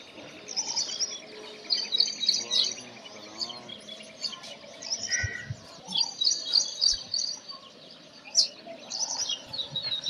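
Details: Brown rock chat, also called Indian chat, a bird of old buildings and rocky areas in northern and central India; clear high chirps and short warbled phrases in loose bursts, with background chatter and faint other noises.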